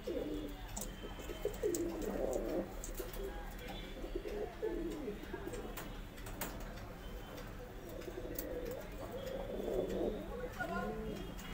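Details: Pigeons at the start of the first pigeon race of 2021, giving low, rolling coos in bursts through the clip, with several birds calling over a steady background murmur and faint clicks.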